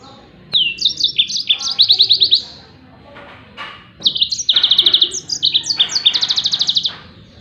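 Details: Song of a yellow-fronted canary, meant for tutoring other songbirds: rapid high twittered phrases, with stepped notes leading into fast trilled buzzy runs, in two bursts split by a short gap; quiet background.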